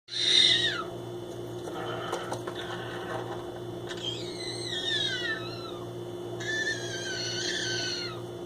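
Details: Pet male green-cheeked conure exploring empty boxes indoors, making his signature noise on discovering a new place: three drawn-out, tonal, harmonic calls that slide downward, with soft rustling between them over a steady low electrical hum.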